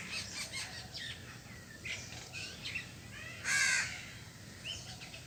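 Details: While eating cooked food and grains, a crow lets out a single harsh caw near the end, with faint bird chirps and a low hum in the background.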